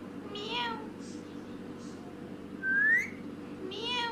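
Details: Parrot at a selfie camera producing harmonic, downward-sliding squawk calls at the start and end, soft short bursts between them, and one loud upward-sweeping whistle just past the midpoint, over a low room hum.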